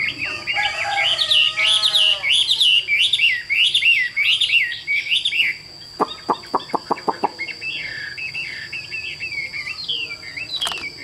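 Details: Chinese hwamei, caged and mostly tame, offered by a bird seller in Vietnam: rapid chattering, jumbled phrases, then a run of about eight sharp clicks, then softer twittering warbles.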